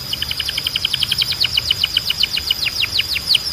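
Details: Belgian canary in strong, clean song for training birds: an even series of paired high chips, about four per second, turning into falling whistled slurs over a steady high tone.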